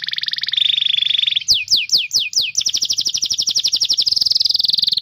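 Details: Canary song played as a tutor for young or silent canaries; a steady high trill, a level whistled tone, several rising slurred notes, then long rapid rattling trills repeated many times per second.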